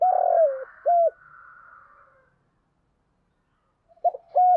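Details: Caged decoy spotted dove cooing to draw in wild doves: a long, slightly falling coo and a short coo, a pause, then a quick double coo. The notes are deep, mellow and hollow.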